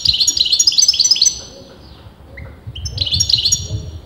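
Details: Rapid tinkling twitters from a European goldfinch whose sex is debated by breeders: a quick chirping phrase, a pause with a faint single note, then another lively twittering burst over low background rumble.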